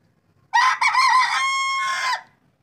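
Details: Morning among native desi chickens with a hen and chicks: one loud, ringing crow, a brief broken opening then a long sustained harmonic note, lasting under two seconds, in otherwise quiet surroundings.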